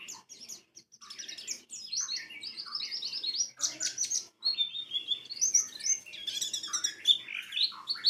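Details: Lure song of a white-eye, used to make other birds open their beaks and sing wildly (bukpar, ngalas, wiksar): dense, nonstop high twittering with quick warbled phrases and a few brief pauses.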